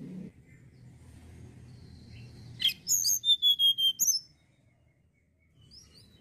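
A Sunda blue robin gives one brief, high song phrase: a sharp note, then a quick run of thin, clear whistles and slurred notes lasting about a second and a half, over faint low hum.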